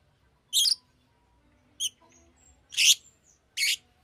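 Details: Fischer's lovebird calling with four short, harsh, high squawks spaced about a second apart, otherwise quiet.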